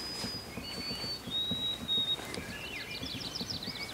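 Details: Probable White-throated Sparrow in the Boundary Waters Canoe Area Wilderness, Minnesota, in June 2021. It sings long, pure whistled notes stepping down in pitch, followed by quick chirpy notes from another bird over a soft low patter.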